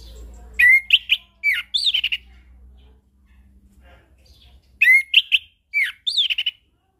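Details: Chestnut-capped thrush song used as a lure to set off silent birds: clear whistled phrases around mid-pitch, with slurred rising and falling notes and a buzzy tail, given in two bursts about four seconds apart.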